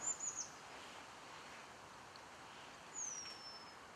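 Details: Eurasian penduline tit near the end of building its nest at Källtorp wetlands outside Falkenberg, 2013, gives a few very high, thin flickering notes, then a long downward-sliding whistle over soft wetland hiss.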